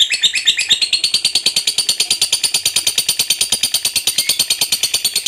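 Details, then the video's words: Long ngekek chattering song of a fighter contest lovebird: a dense, fast series of high, rasping notes, evenly spaced and continuing unbroken for over five seconds. "SUARA BURUNG LOVEBIRD FIGHTER GACOR NGEKEK PANJANG.!"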